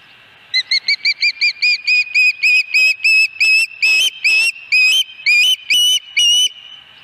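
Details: At Dunrovin Ranch on 26 August 2020, an osprey at the nest gives a long series of whistled chirps. It starts with quick, short notes, then slows to longer, louder, slightly slurred whistles over about six seconds.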